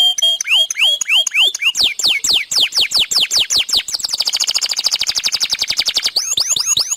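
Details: Long, persistent canary song for coaxing other canaries to sing: a series of sharp descending whistled sweeps repeated about twice a second, moving into a dense, fast rolling trill, then bright upward-curving whistles at the end.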